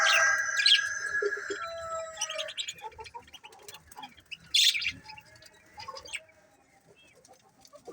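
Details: Colony of pet budgerigars chirping: warbled, harmonic chatter that is loud at first and then fades into scattered soft tweets, with one sharp chirp burst midway.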